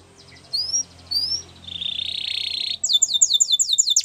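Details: Yellow canary singing a training song: rising whistled slurs, a sustained buzzy trill, then a fast run of repeated descending chirps.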